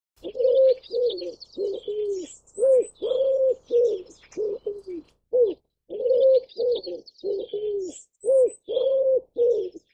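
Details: An ashy wood pigeon (Columba pulchricollis) gives a run of deep, hoarse coos, short arched notes in quick succession, while thin, high chirps from small birds sound faintly behind.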